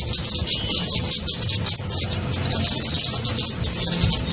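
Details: Kemade lure sound for attracting small birds: crowded, sizzling high twitter of tiny chirps with one clear whistled note midway, continuous and even in loudness.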